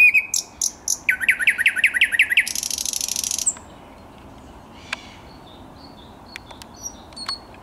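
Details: Thrush nightingale song recorded 10 May 2021: sharp repeated notes, then a rapid string of about nine pulsed, rising chopping notes, followed by a dry, buzzy high rattle lasting about a second, then scattered faint ticks.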